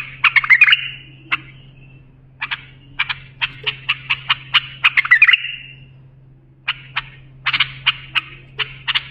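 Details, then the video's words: Bulbul singing its varied lisanat, used to tutor young bulbuls: a warbled burst, then long series of sharp separate clicking notes, another fluid trill and further click series with pauses, low hum behind. "بلبل للساناته إبداع يفيد للتخريج صغار بلابل"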